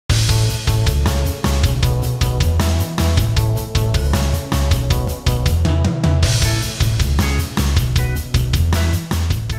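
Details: Loud rock music with a pounding drum kit, deep bass beats and crashing cymbals throughout, with a brief break near the six-second mark and no animal voice.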